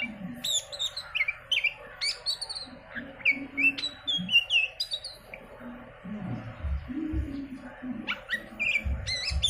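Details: Lure recording of oriental magpie-robin song: a busy stream of bright whistles, downslurred and upslurred notes and crisp clicks, with intermittent low thumps and rumbling in the background.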